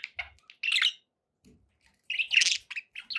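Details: Budgerigars kept as pets, giving quick bright chirps and buzzy warbled notes in two clusters with a quiet pause between them, plus a faint low thump.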